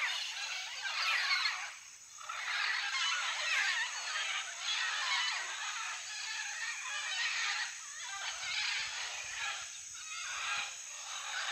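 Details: A flock of macaws at a clay cliff with nest holes in Madidi National Park, Bolivia, where mated pairs nest, keeps up a dense, harsh chorus of overlapping squawks and raucous chatter, with a steady high insect whine throughout.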